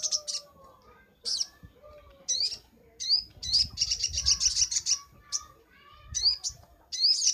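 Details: Crimson sunbird master recording for training birds: bursts of thin, very high sweeping notes repeat about every second, with a rapid high trill in the middle, and soft lower background sounds between phrases.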